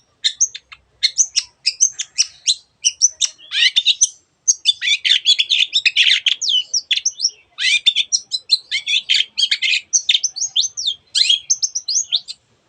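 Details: Long-tailed shrike (cendet), a lively singer packed with varied other birds' sounds for training birds that seldom sing, delivers a continuous rapid jumble of scratchy chips, trills and sharp notes for over twelve seconds, broken only by brief pauses.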